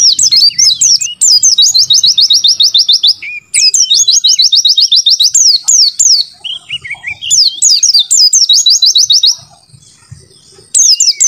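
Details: Oriental white-eye (pleci) in full, clear song used for training birds: repeated bursts of quick, bright chirping trills, each several seconds long, separated by short gaps and some softer twittering.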